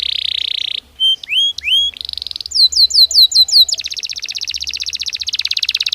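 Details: Natural song of a Belgian canary: a buzzy held tour, then a few sweeping upslurred whistles, a quick series of descending slurred notes, and a long rapid trill to the end.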